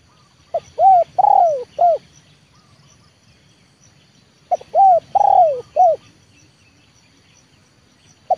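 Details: Trained spotted dove used as a decoy for luring wild birds, giving a loud cooing phrase of four notes: a short lead-in, two longer arched coos with the middle one drawn out and falling, and a clipped end note, repeated after a pause.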